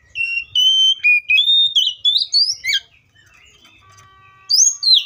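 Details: Oriental magpie-robin (Copsychus saularis) song of bright, varied whistled notes, some sustained and some sharply slurred, delivered in quick succession. A brief quiet gap with a faint steady tone follows, then a closing pair of loud downslurred whistles.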